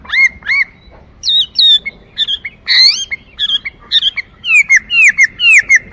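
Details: Chinese hwamei song of varied loud whistles, some twice-repeated slurred notes, rising swoops and a rapid run of short descending whistles toward the end.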